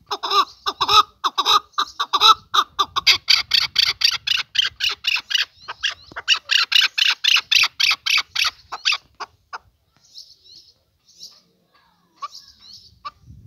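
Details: Male chukar partridge delivering a long, rapid series of harsh cackling chuk notes for about nine seconds, growing louder midway. Then only a few faint, scattered notes follow.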